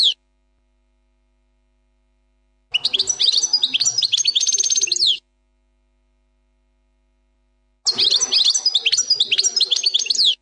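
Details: Plak mine style song of a European goldfinch, billed as a flawless song: two bursts of bright, high twittering and rapid buzzy trills, with a dense rattling passage, separated by several seconds of silence.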